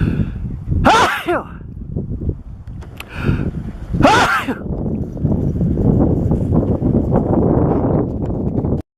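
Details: One of many herring gulls bathing together on 9 March 2015 gives two harsh, downward-bending cries about three seconds apart, with a fainter note between, over a steady low rumble of wind and water.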